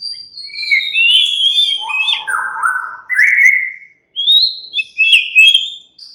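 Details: Relaxed song of a white-rumped shama (murai batu): flowing whistled phrases that dip low, climb again, and break into short bright notes after a brief silence.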